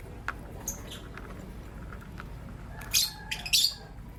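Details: Morning chirping from green Personata and pastel white lovebirds: faint scattered high notes at first, then a short burst of loud, harsh, high chirps in the final second.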